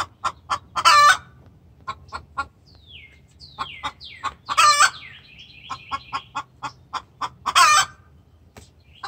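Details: Hen giving a distress call to the rooster, very vocal: a run of short clucks, three loud harsh squawks spaced about three seconds apart, and thin high chirping whistles in the background.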